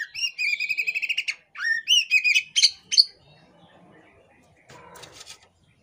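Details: Female Oriental magpie-robin (kacer poci) in breeding condition, tail spread while calling. Quick series of buzzy chirps and a few sharp whistles, then quiet with faint rustling.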